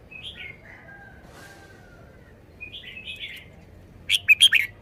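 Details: Caged red-whiskered bulbul showing its song style: slurred falling whistles, a long thin whistle, then a loud burst of sharp, rich warbled notes at the close.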